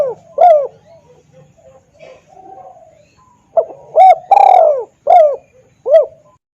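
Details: Lure call of a spotted dove, loud and clear, to bring wild doves in. Scattered short coos give way to a complete phrase of quick upswept notes around one long falling coo.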